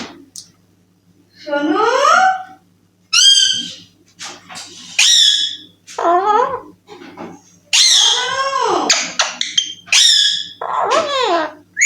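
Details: Baby Alexandrine parakeet indoors giving a series of raspy, strongly modulated speech-like phrases, some squeaky and upswept, in bursts of one to two seconds with brief silences between.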